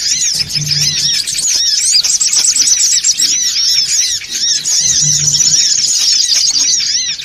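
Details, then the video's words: Noisy songon otong calls used to lure birds: two long runs of thick, high, squeaky chirping from many birds, with a low hum under each run. "SUARA PIKAT SONGON OTONG (RIBUT)"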